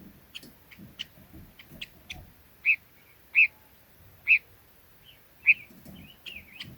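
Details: Red-billed leiothrix with quick thin notes, then several loud rounded whistles spaced about a second apart, ending in short warbling twists.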